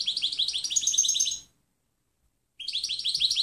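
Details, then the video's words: European goldfinch singing a clean song used as a training recording, with a long run of quick high twittered notes, a second of silence, then another rapid tinkling phrase. "Canto del Jilguero Limpio Chant chardonneret"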